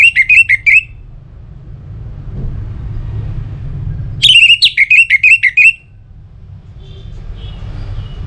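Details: Orange-headed thrush song used to coax other birds to sing. Two phrases of jerky, looping whistled notes, roughly eight each, are separated by a quiet gap with a soft low rumble.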